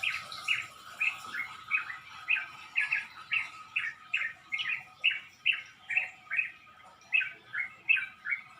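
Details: Pre-sunrise dawn chorus from birds perched in a backyard pomelo tree around 5 a.m.: a lively series of short, sharp chirps repeated more than twice per second, fairly even, over a faint constant tone.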